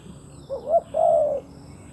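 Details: Decoy spotted dove used to lure wild doves, giving one short two-part cooing phrase, a brief rising note then a longer level hoarse coo, over quiet background hiss.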